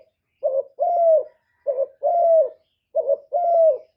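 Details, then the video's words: Decoy spotted dove used to attract wild doves, giving three clean two-note coos about 1.3 seconds apart, each a quick hollow note followed by a longer, smooth, slightly falling one. "Cu gáy mồi hạp bổi nghe là gáy, chim cu đất, cu gáy mồi cây, tiếng chim cu gáy gọi"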